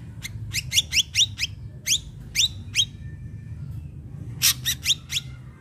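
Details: Ashy drongo singing as a lure to prompt untrained captive drongos into song: a lively string of short, sharply downslurred notes with ringing overtones, repeated about twice a second, followed by a burst of clicks, over a faint low hum.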